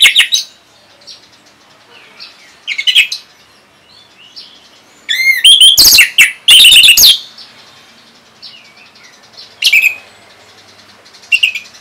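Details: An orange-headed thrush in song, used to stimulate other birds to respond: short scattered whistled phrases, a loud rapid burst of clicking notes and sharp upslurred whistles in the middle, then further brief phrases.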